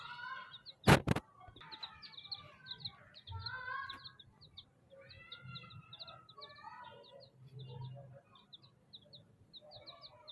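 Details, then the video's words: Young chickens chirping: bursts of high descending peeps and trilled notes from several chicks, interrupted early by a loud sharp knock. "chicks chirping sounds"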